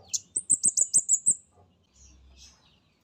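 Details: Orange-headed thrush, spotted mountain 'comade' type, used as a lure recording: about seven quick, piercing high whistles in an even run, each dropping slightly in pitch, then near silence with a low hum and one last sharp note.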